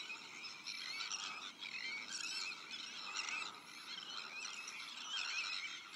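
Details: Crowded Sandwich tern colony during breeding, alongside black-headed gulls, arctic and common terns; grating, scratchy calls pour out nonstop, rising in bursts of louder squawking roughly every second.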